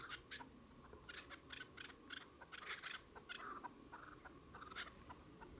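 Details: Dense chatter of chukar partridge calls, with quick clipped notes tumbling over one another in busy bursts and a few higher, sharper notes mixed in, over background noise.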